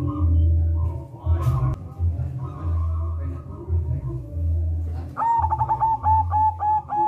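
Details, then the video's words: Zebra dove, a local Indonesian bird used to set other doves singing or to lure them; low rumbling noise fills the first five seconds before a fast rolling series of cooing notes begins near the end. "Perkutut lokal gacor SUARA NGEROL DIDEPAN"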